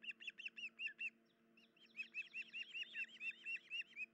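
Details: Osprey, 10 July 2019 at about 04:51, injured female at the nest with chicks: six quick whistled chirps, a short gap, then a longer insistent run of rising-falling piping notes.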